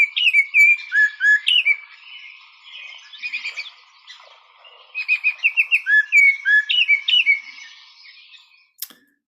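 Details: Melodious Baltimore Oriole song heard on a forest walk at Montezuma Audubon Center: rich whistled phrases of rising and falling notes, a chattery rattling middle section, then another burst of quick fluted notes.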